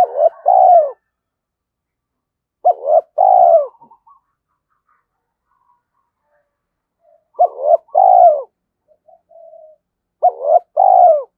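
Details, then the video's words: A spotted dove kept as a decoy calls to provoke wild males into fighting. It gives four three-part coo phrases about three seconds apart, each ending in a drawn-out, falling, purring note. Faint soft notes come between phrases. "Chim Cu Mồi Thúc Đấu Và Gáy Gọi"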